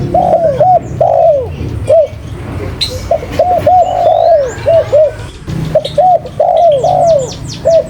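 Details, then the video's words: Spotted dove cooing steadily: series of short arched notes and longer slurred coos in rapid succession, with a burst of high twittering from other birds near the end and low rumbling background. "Burung Tekukur Paling Gacor"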